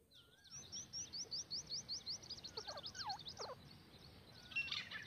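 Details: Wild grey francolin calling in a hunting-call recording: a rapid series of short, high, upward-flicked notes, repeated more than twice a second, then lower slurred notes and a falling whistle, over a steady background hiss.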